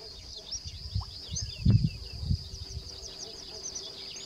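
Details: A sedge warbler perched on a reed sings fast, scratchy chattering phrases of high quick notes, run together with no pause; low wind rumble and a few thumps underneath.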